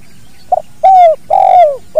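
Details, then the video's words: Spotted dove, natural recording for training other birds: a soft short note followed by two long, slightly falling coos, part of the 'kuk dua' call, loud and close. "SUARA BURUNG TEKUKUR KUK DUA UNTUK MASTERAN ALAMI"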